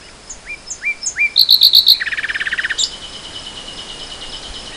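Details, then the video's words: Nightingale in spring 2014 opening with three rising whistles, then a run of loud ringing notes and a rapid low rattle of repeated pulses, fading into a soft buzzy trill. "Le chant du rossignol"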